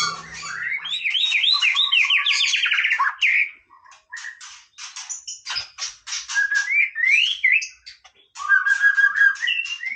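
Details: Varied white-rumped shama song of tumbling whistled slurs and trills, broken by short pauses, then clicking rattles and fresh rising whistled phrases.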